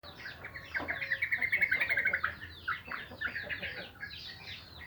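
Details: Sooty-headed bulbuls singing in the morning: dense, bubbly chatter of quick sweeping chirps and short whistled notes, overlapping voices, with a louder run of bright notes in the middle over a faint low hum.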